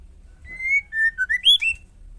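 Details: A female white-rumped shama calls to stir males to respond. A single clean phrase of whistles: a long steady note, a lower slurred pair, then rising, bright upward-swept notes.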